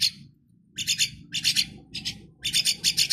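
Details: Four-week-old chicks being hand-fed while hungry; bursts of harsh, raspy, high-pitched begging chirps in quick pulsing groups, separated by short pauses, over low rumbling background noise.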